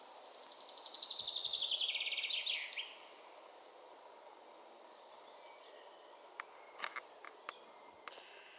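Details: One loud common chaffinch song opens the recording, a fast descending trill of repeated notes rounded off by a short flourish, followed by quiet with a few sharp clicks.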